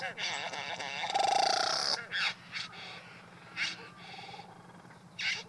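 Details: Male Satin bowerbird performing his courtship show at the bower for a female, with beautiful mimicking; wavering buzz, then a sustained whistle with a harsh overlay, followed by scattered raspy bursts.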